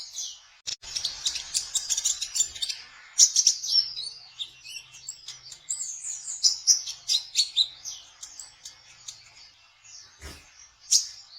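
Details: Sunbird known locally as kolibri ninja, trotol-style song used to lure konin birds for trapping: a long run of rapid, high, stuttering chirps about four per second, with faint clicks and low thumps in the background.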